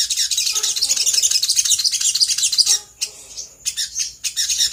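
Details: Sooty-headed bulbul lure song with fast, high chattering notes, a short gap, then scattered sharp chirps, with a faint low voice in the background.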